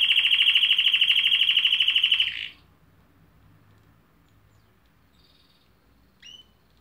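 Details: A canary delivers a rapid, even rattling trill for about two seconds, then goes quiet apart from one brief chirp near the end.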